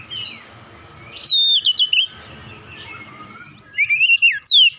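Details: Oriental magpie-robin song used to stir other birds into singing: two loud bursts of twisting whistled notes, one near the middle and one at the end, separated by quieter distant chirping.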